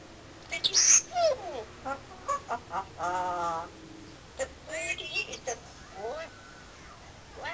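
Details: Pet parrot talking, a bird that talks all day long: a rapid run of chattering, speech-like syllables mixed with sharp whistled squeaks and a short stretch of harmonic, voice-like warbling.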